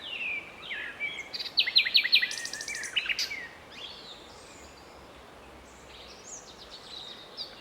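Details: A common nightingale sings in a town park in Strzelce Opolskie, Poland, in May 2012: a varied, high phrase with a loud burst of rapid repeated notes, then fainter scattered chirps, with distant birds faintly heard.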